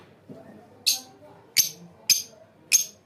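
A lovebird gives four harsh, high, scratchy chirps spaced about half a second to a second apart, over a faint low background murmur.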